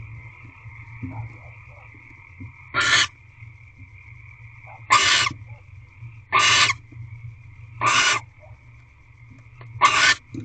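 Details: Female barn owl in an owl box on 1 March 2023 at 6:44 pm, eating a rodent brought by her mate; five harsh, noisy hissing screeches, each about a quarter second, spaced one to two seconds apart, over a steady electrical hum.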